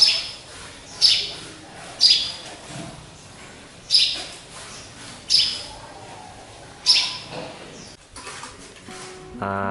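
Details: Caged sparrow, believed by its keeper to be a hybrid, hung up high: six sharp high chirps at uneven intervals, followed by a brief clatter and a short buzzy tonal sound at the end.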